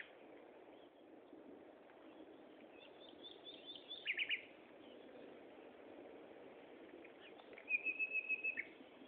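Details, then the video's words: Common nightingale singing at Gaasperzoom on 16 May 2012, 3:30 pm: two phrases over steady background hiss, a quick burst of repeated rattling notes, then a longer run of evenly spaced rapid notes ending in a flourish. "Nachtegaal zang"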